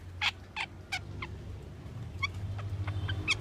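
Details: Asian glossy starling giving harsh, buzzy notes repeated about every third of a second, then higher, thinner whistled notes, over a low steady background hum.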